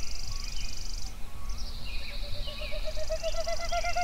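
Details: Songbirds singing at sunrise in Yellowstone: several overlapping whistled phrases, a high thin trill near the top, and a repeated piping series of short notes in the second half, over a steady low background rumble.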